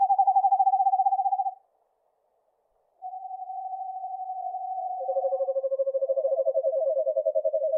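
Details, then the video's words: Eastern Screech-Owl (Megascops asio) giving low, even, quavering trills on one pitch: a short trill, a pause, then longer trills where a second, slightly lower trill overlaps the first. "Eastern screech owl sounds - Megascops asio - Eastern screech owl call"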